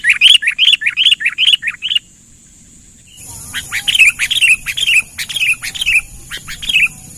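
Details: Sooty-headed bulbul trapping lure call: quick string of bright, looping chirps that stops abruptly, a pause of steady hiss, then a slower series of downslurred whistled notes over a faint background hum.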